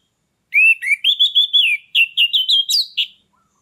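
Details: Orange-headed thrush kept caged, singing in gacor ngeplong style as a lure to bring silent birds into breeding condition: a continuous string of about ten rich, slurred whistles rising slightly in pitch, ending on a sharp upward note.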